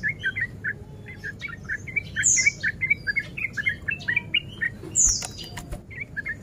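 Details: Male sooty-headed bulbul in breeding mood, its song used to provoke other males to fight; steady chattering string of short warbled notes, interrupted twice by a piercing high squeal, over a low background rumble.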